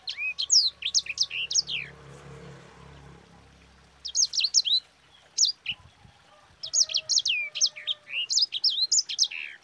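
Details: Sanger, the yellow-fronted canary, singing a long, rolling master song to train other birds. Bursts of rapid, piercing chirps and downward-slurred whistles come in three phrases separated by short pauses.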